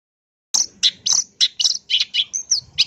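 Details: Long-tailed shrike, recorded as a lure to provoke singing: silence, then a quick sequence of piercing high chirps and short squeaky notes with one brief whistled slur near the end.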